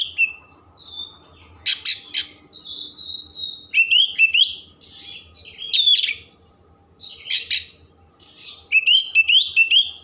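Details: Oriental magpie-robin singing hard with rich mimicry, played to stimulate emotion and tail opening: bursts of scratchy chatter alternate with sweet whistled slurs and trills in uneven, fast phrases.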